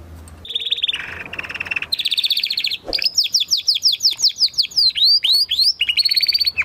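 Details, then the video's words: Spanish Timbrado canary from 2020 breeding, training song: sustained buzzy trills followed by a long series of rapid, clear downward-sweeping whistled notes, all high-pitched and steadily repeated. "Canary training Song"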